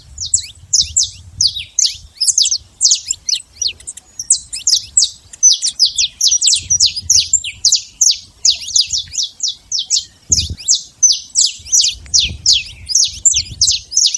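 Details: Free-living saffron finch in natural surroundings delivering a long, continuous song of high, sharp, downslurred chirps, rhythmic and quick, with brief clusters of faster notes; a low thump near the middle and faint background rumble.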